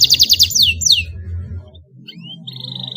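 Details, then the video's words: Canary in training with a model song: quick burst of down-slurred high notes, then a rising whistle and a short even buzzy trill, with low rumbling noise beneath. "Kenari gacor paud belajar bunyi langsung NYAUT dan ngeroll di pancing kenari cengkok mewah"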